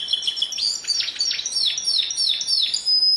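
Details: Canary giving a quick high trill, then a string of repeated downward-swooping notes about four per second, with a thin steady whistle near the end.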